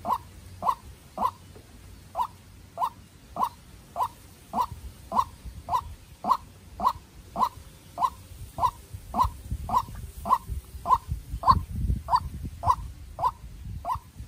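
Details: Decoy white-breasted waterhen facing a wild rival in a tense contest, giving a long, regular run of short, mid-pitched knocking notes nearly twice a second, over low background rumble.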